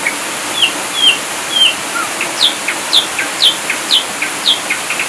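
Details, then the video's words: Ashy drongo in 'full tembakan' style, recorded for training birds: clear, high, down-slurred whistles about twice a second. Flat notes come first, then steeper slurs. A strong constant hiss sits underneath. "Sriguting Abu2 Full Tembakan"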